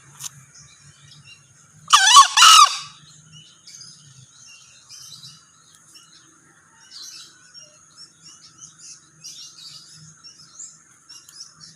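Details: Harsh two-syllable crow of a male green junglefowl, loud and strained, about two-thirds of a second long. Faint chirping from other birds, a low hum and a thin high whine continue afterwards.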